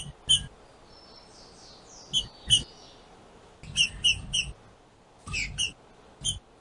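A female Green-winged saltator gives sharp, bright chipping notes in small clusters to stir up a male.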